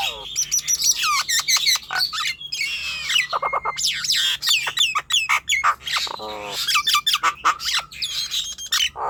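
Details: Song of the Nias hill myna, used to prompt young, raw or lazy-singing birds to sing, made of a rapid chatter of looping whistles, metallic clicks and a raspy nasal rattle near the middle.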